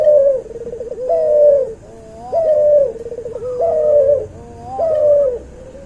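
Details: Crossbred cuhu dove, from a white albino puter and a puter pelung. Four evenly spaced phrases, each a short trilled stutter then a strong sustained coo, followed by a softer wavering tail, roughly one per second and a half.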